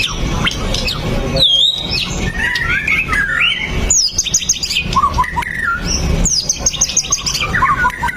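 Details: Lure recording of a white-rumped shama singing to set other shamas off: varied whistles, high rapid trilled runs and falling slurred notes in quick succession over constant low background noise.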